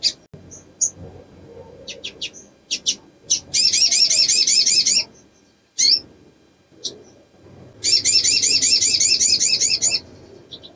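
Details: Female ruby-cheeked sunbird in breeding condition, calling in response to a male's lure sound: two long, rapid, high buzzy trills, each about two seconds, between scattered thin sharp chips.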